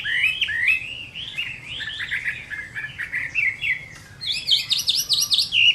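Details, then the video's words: Fighting song of a Chinese hwamei at midday in summer, a flowing series of warbled whistles, then a quick high repeated zigzag trill after a short break. "HỌA MI CHIẾN HÓT TRƯA HÈ"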